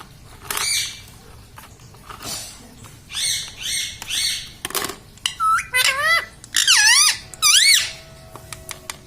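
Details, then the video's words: Pet parrot indoors mimicking words such as "mummy" and "papa": a string of high, harmonic syllables with rising and falling slides, about one a second, mixed with sharp clicks and a few tongue pops. "parrot talking mummy"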